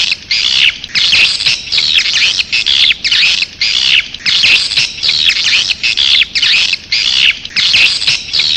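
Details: Swiftlet calling sound, track A4: rhythmic bursts of high, buzzy, chattering twitter, each under a second long, repeating steadily with brief gaps between them.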